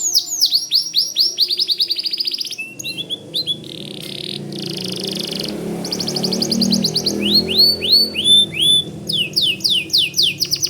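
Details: Vigorous white canary song, suited for teaching White-rumped Shamas. Fast rolling phrases of swept notes continue over a low rumbling background noise in the middle section.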